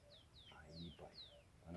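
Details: Caged ultramarine grosbeak (azulão) singing in the style called 'pegada livre, tesourão'. Four clear, high whistled notes, each sliding steeply downward, about one every 0.4 seconds, over a low background rumble.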